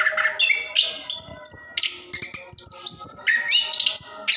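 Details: Orange-headed thrush pouring out a rolling song used as a prompt for caged birds slow to sing; loud, fast-changing whistled notes leap from mid to very high pitch, with brief trilled bits between them.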